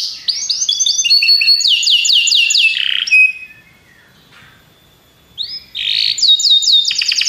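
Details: Belgian canary song of rapid repeated downward-swept notes and trills for about three seconds, a quiet gap, then a rising whistle and another bright trill.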